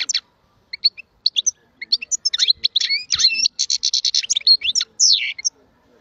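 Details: European goldfinch song: a lively, high jumble of twittering notes, short trills and buzzy chirps in quick bursts, with brief gaps, in a quiet setting.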